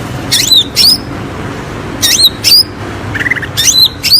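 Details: Lure recording of greater green leafbird song meant to stir quiet birds into singing: repeated pairs of loud, sharply modulated whistled notes, with a softer chattering phrase between them and a low room hum beneath.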